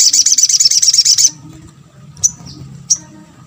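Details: Crimson sunbird (sogok ontong) delivering a quick, high, thin chattering series for just over a second, then two isolated sharp chips; the call is meant to draw responses from other sunbirds, with faint low background noise.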